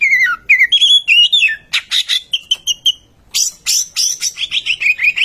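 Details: Oriental magpie-robin lure song intended to trigger singing in other birds: descending whistles, then clear repeated notes and buzzy bursts, finishing with a quick string of rising whistled notes.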